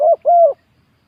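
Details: Spotted dove on a ground decoy site, cooing. A short falling coo runs straight into a longer, smooth, slightly descending note, then silence.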